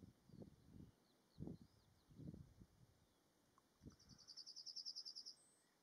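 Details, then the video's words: Yellowhammer at Martins Down on a windy day, 27 June 2022: a fast run of about a dozen short, high, evenly spaced notes building to a final drawn-out note, with gusts of low wind rumble throughout. "yellow hammers at martins down 27/06/22.."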